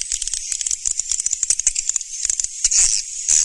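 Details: Swiftlets, Surya Mentari style, 2019: quick runs of sharp high clicks and chirps in irregular bursts, then longer buzzy trills toward the end.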